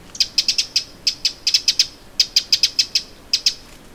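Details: Eurasian wren giving alarm calls by Lake Vänern, Sweden, in late July 2017: sharp, dry high ticking notes in rapid irregular bursts of three to five, about five per second, against a faint background hiss.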